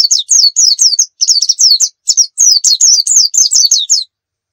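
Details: Lively Javan white-eye, dakun bird from Pacitan, in tutor-style song full of fillers: continuous high, sharp downslurred chirps delivered in quick clusters with tiny gaps for about four seconds.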